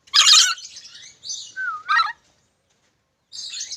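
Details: Black-capped lory giving a loud, harsh broadband squawk, then a short rising-falling whistled note and another raspy burst, with a brief scratchy call after a pause.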